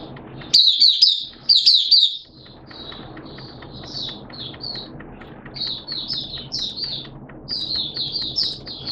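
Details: Kept Oriental white-eye singing on a wet, erratic-weather day, 11 September 2022; two loud bursts of high, fast chirping early on, followed by softer, more distant-sounding high twitters over steady low background noise.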